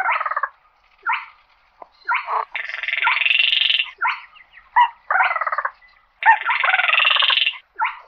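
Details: Calling to gather the flock, a slaty-breasted rail gives short croaking notes broken by two long, strained, buzzing rasps that rise slightly, then brief harsh stutters, against silence.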